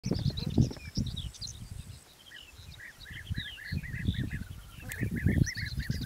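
European bee-eaters give short, rolling 'prruip' calls in quick repeated bursts, with higher chirps above, over heavy low wind rumble.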